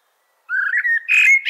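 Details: Short blackbird song fragment: a low, smooth whistled note gliding slightly upward, followed by a brighter, higher warbled flourish.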